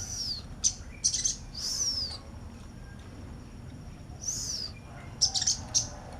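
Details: Sunbird placed beside a female, giving thin, very high downslurred whistles and bright ringing notes, then a quick run of sharp clipped tweets near the end; low steady hum underneath.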